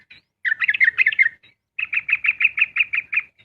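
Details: Sooty-headed bulbul in dawn rapid song: a tight cluster of tumbling chirps, a short silence, then an even series of about ten bright, bouncy notes spaced evenly at roughly six per second.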